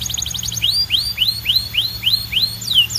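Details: Canary singing a quick burst of tiny rapid notes, then a series of rising, swooping whistled notes about three per second, ending with two downslurs.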